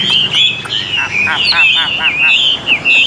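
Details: Caged Chinese hwamei, described as fully tame and a fighter, pours out quick warbled whistles with sweeping slurred notes, while a lower repeated rasping or buzzing sound pulses underneath partway through.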